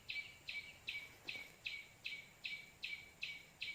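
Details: Luring call of the white-breasted waterhen for trapping. Ten harsh, nasal notes in under four seconds, evenly spaced and each beginning with a sharp attack, with faint insect-like hiss behind.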